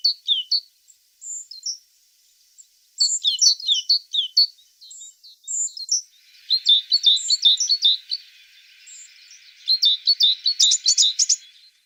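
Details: A tit sings a varied string of high, quick chirps and short whistles. The phrases grow denser into rapid chattering trills, over a faint steady background hiss.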